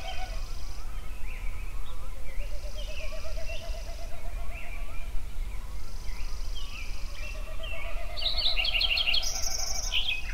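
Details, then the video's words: Yellowstone songbirds at sunrise: a high buzzy trill repeats every few seconds while soft slurred whistles drift in the background, ending in a loud burst of quick high chirps, with steady low rumble throughout. "Sunrise Songbirds at Yellowstone"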